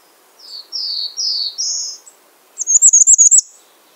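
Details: A bay-breasted warbler calls with four upward-stepping slurred notes followed by a rapid, evenly spaced burst of very high, thin notes lasting nearly a second.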